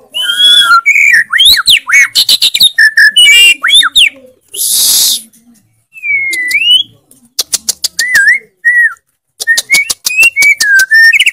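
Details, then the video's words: White-rumped shama (murai batu) in full 'gacor' song with 'isian' fills and loud 'tembakan': fast varied whistled phrases and clicks, broken by a hissing burst, then slower rising and falling whistles. "MURAI BATU GACOR FULL ISIAN TEMBAKAN KENCANG, KICAUAN YANG SANGAT MENGGAIRAH KAN MURAI BATU ISTIMEWA"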